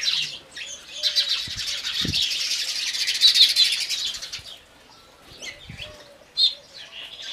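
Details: House sparrow: dense, shrill chirping chatter in overlapping bursts for the first four and a half seconds, then sparser single chirps, with a soft low thump near two seconds.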